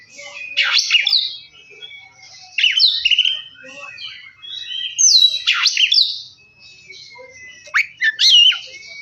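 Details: Oriental magpie-robin song used to provoke another bird to sing: loud, varied whistled phrases repeated roughly every two and a half seconds, mixing steep downslurs, quick upward flicks and trailing warbles, with quiet gaps between.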